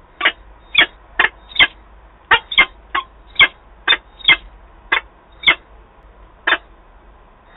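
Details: Peregrine falcons at a nest box in Wałbrzych, Poland, on 11 October 2022, as the female arrives and the pair meet. Harsh, scratchy calls repeat steadily, about fourteen in under eight seconds, with gaps of roughly half a second between them.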